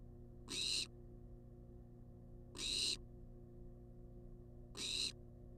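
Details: Wild barn owl in a monitored nest box on a live camera, demanding food: harsh broadband hissing screeches of about a third of a second, repeated roughly every two seconds, over a steady low electrical hum.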